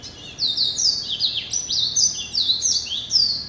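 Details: A hybrid finch, a male Yellow-eyed canary × Timbrado canary cross hatched in November 2012, sings a continuous run of high, bright trills and chirps with quick rising and falling phrases and no pauses, recorded March 2013.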